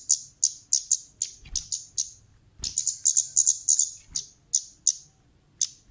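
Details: Female orange-headed thrush call used as a lure for other birds, an actively calling bird: sharp, very high chirps given in quick uneven bursts, single and in doubled or tripled notes, with short pauses and a quiet background.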